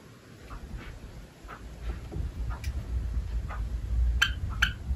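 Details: A Java sparrow held in a hand gives soft, short chips and ticks, about one every half second, over a low handling rumble.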